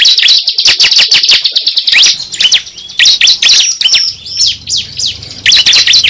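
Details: Cible call for luring birds: a quick series of sharp, high descending notes, then scattered chirps and whistles over a faint low hum, then another loud burst.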